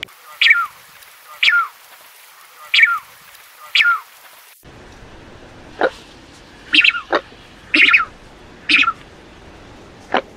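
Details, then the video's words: Falkland steamer duck calls: four evenly spaced harsh descending notes, then after a cut a looser series of sharp clicks and rasping notes over a low background hiss. "Falkland Steamer Duck Sound, Falkland Steamer Duck Call"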